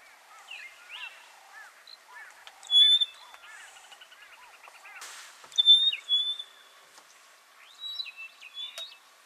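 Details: Rosy-patched bushshrikes duetting in Buffalo Springs National Park, Samburu, Kenya: three loud bursts of sharp whistled notes, near three, six and eight seconds, over a steady background of soft repeated chirping from other birds.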